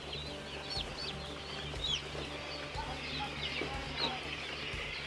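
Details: Broiler chicks giving scattered high, thin peeps and short chirps, some sliding upward, over a constant low droning hum.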